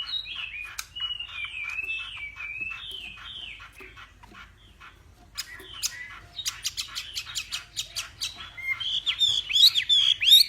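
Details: Hwamei from Vietnam's Northwest during a morning singing duel, starting with soft descending whistled slurs and scattered clicks, then swelling into fast sharp ticking notes and a loud whistled flourish at the end.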